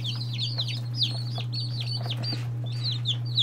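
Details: A brood of day-old chicks, among them Lavender Orpingtons, Marans, Silkies, Seramas, Legbars and Salmon Faverolles. Continuous overlapping high, falling peeps from many birds sound over a constant low hum.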